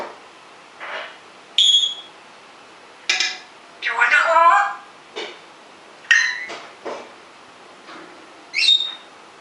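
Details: Rescued pet African grey parrot, which talks and whistles when its owner leaves the room, gives a run of short varied calls, squawks and mumbled speech-like chatter, plus a few high whistles, spread across several seconds indoors.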